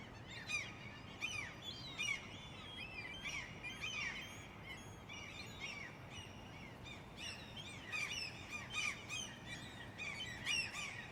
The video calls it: Many seagulls